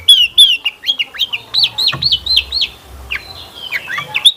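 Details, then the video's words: Long-tailed shrike song played as a lure for other shrikes, a string of hooked whistled notes repeated roughly three per second, trailing into softer scattered notes. "Kicauan Cendet Memukau! Pancingan Cendet Gacor Full Isian Mewah"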